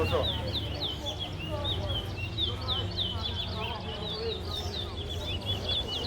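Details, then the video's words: Towa towa (large-billed seed finch) in a singing competition in Guyana: a fast, continuous run of high chirping and whistled notes with short rising and falling slurs. Background murmur of onlookers, music and counting. "Super Towa Towa Competition"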